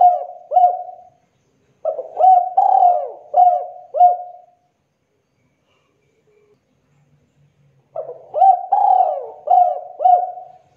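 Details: Spotted dove giving kuk 2 style calls, a clean recording meant as a trapping lure: soft, low coos grouped into rolling phrases, delivered in bursts with a long quiet gap in the middle.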